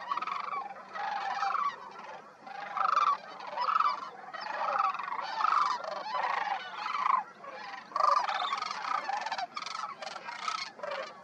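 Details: Sandhill cranes fly in and land among a ground flock at Pixley National Wildlife Refuge in California's Central Valley on 19 December 2022, among thousands present. Their rolling, trumpeting bugles overlap continuously, with louder bursts every second or so.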